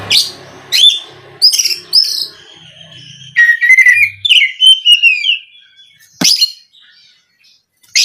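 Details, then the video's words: Oriental magpie-robin song used to goad other magpie-robins into singing: harsh scratchy bursts followed by a long flowing run of whistled, warbled phrases, ending with a sharp click. "SUARA BURUNG KACER INI AMPUH UNTUK PANCINGAN KACER AGAR CEPAT KONSLET DAN NGEPLONG"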